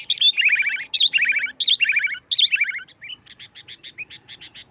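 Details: Sooty-headed bulbul in full 'nggaruda tarung' song, used to lure other bulbuls to sing; loud rolling descending phrases repeated about once a second, then a softer series of short even chirps.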